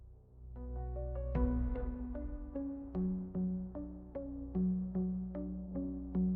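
Synthesizer music with soft repeated tones over a steady low drone, and no animal sounds.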